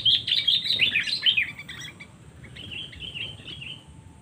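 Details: Sooty-headed bulbul 'cengkram' lure for summoning rivals: dense, loud, jumbled chattering for a second and a half, fading into softer, lower-pitched twittering.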